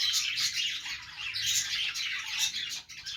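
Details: Short burst of happy budgie chatter from a morning routine: loud bright warbling with whistled notes and chirps, fading into a brief quiet gap near the end.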